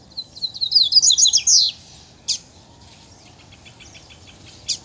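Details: Double-collared seedeater singing against a free-living rival male in the bush: one fast, high twittering phrase of slurred notes, then scattered sharp chips over steady background hiss.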